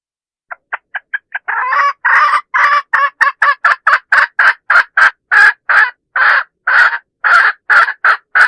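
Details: A lure call of a hen for drawing in roosters. It opens with soft, short clucks that quickly build into loud, harsh, repeated cackling notes at an even, rapid pace.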